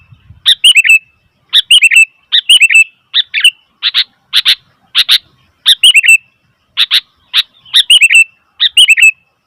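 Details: Sooty-headed bulbul calling noisily: bursts of sharp, chattering chirps in quick pairs and triplets, several ending in a short falling warble, repeated roughly every second with brief silent gaps.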